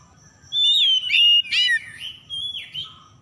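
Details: Oriental magpie-robin lure song: a bright long whistle sliding downward, a burst of scratchy chirps, then quieter fading whistled notes.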